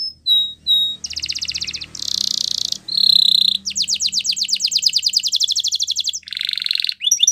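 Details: Spanish Timbrado canary song used for training canaries: a few short whistled notes open into a chain of rapid, buzzy, metallic trills in distinct tours, ending with a faster rattling trill.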